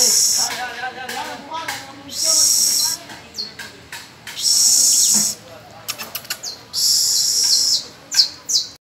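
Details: Domestic canary tutoring young birds in song on the first of May. Several long, high, buzzy trilled rolls, each about a second long, are separated by scattered quick chirps and brief sharp notes.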